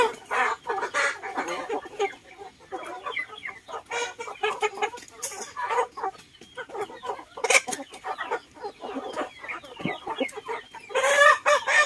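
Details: Chickens and ducks eating together in a garden: constant, uneven clucking from many birds, with quick pecking clicks, occasional sharper calls and a loud flurry near the end.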